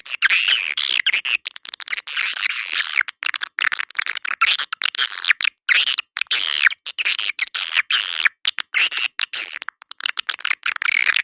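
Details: Continuous dense chattering of edible-nest swiftlets as a lure call for swiftlet houses, with harsh high twittering notes tumbling over one another with scarcely a pause.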